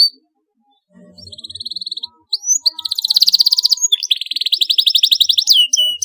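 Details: Canary song played to encourage young birds to sing: a short even trill, a brief gap, then a long loud rolling trill of rapid pulses with sharp swept notes breaking in near the end.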